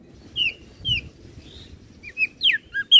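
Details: Crested white-eye from Flores, recorded as a master for teaching other birds to sing: sparse, clear whistled notes, some rising and some falling steeply, spaced irregularly over three seconds above a low background rumble.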